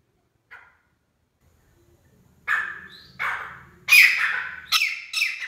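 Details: A grey francolin calling at night gives loud, harsh, scratchy notes in quick succession, about four raucous bursts in three seconds after a brief faint note, over a low hum.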